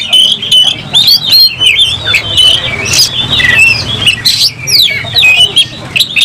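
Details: Oriental magpie-robin (kacer), agitated and fighting with its tail fanned. Varied whistles, sharp sweeps and scratchy squawks come in quick bursts over a low background hum.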